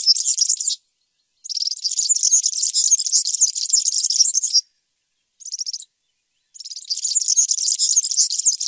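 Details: A European serin sings in bursts: high, rapid, tinkling phrases a few seconds long, separated by short silences, including one very brief snatch of jingling notes in the middle.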